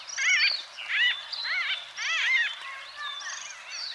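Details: Several White-fronted bee-eaters in Kenya give a run of loud, rolling, nasal calls with bouncy downward-arched notes. Five bursts come roughly every half second to a second, and softer chatter trails off at the end.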